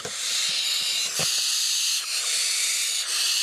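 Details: Five large barn owl chicks of different sizes in a nest inside a house attic wall, filmed in June amid hay meadows, give a steady, harsh, breathy hissing rush with brief dips about once a second, faint knocks beneath.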